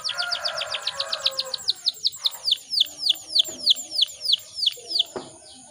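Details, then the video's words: Female canary in breeding condition, played to make males sing: a steady string of clear high downslurred whistles, about three per second, over a faint low murmur at the start. "PANCINGAN KENARI BAHAN AGAR CEPAT BUNYI"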